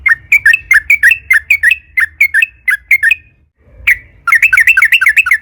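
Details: Sooty-headed bulbul song played as a lure so other bulbuls start singing: evenly spaced, sharp chirping notes that each slur downward, followed after a brief gap by a denser, rapid warbling burst.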